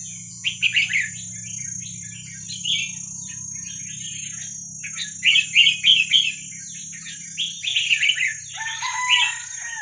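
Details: Red-whiskered bulbul of wild Vietnamese stock singing, used as a training recording for young birds: runs of quick chirpy, gurgling phrases, densest in the middle, with a constant thin high whine and low hum beneath.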